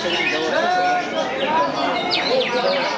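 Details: Greater green leafbird from Kalimantan, a fighter used as a decoy to lure wild birds in the forest and also shown at a song contest arena; clear whistled notes followed by quick descending chirps over busy background chatter.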